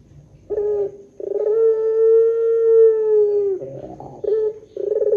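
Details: Barbary dove in the long 'pelung' calling style, used as a lure to set other doves calling: short rolled coo, then a drawn-out steady mellow note of about two seconds that sags slightly at the end, followed by brief rolled coos.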